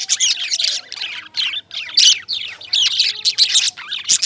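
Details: Indian lovebirds chirping in fast, sweeping, squeaky notes, bunched into loud bursts with brief quieter gaps, and a faint thin whistle lower down.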